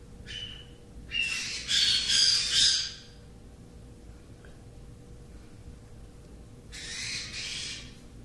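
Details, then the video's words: Captive three-week-old Meyer's parrot chicks dozing off, giving a short rasp followed by a run of harsh, grating squawks, a pause of several seconds, then one more softer raspy burst. "3 week Baby Meyers Falling asleep"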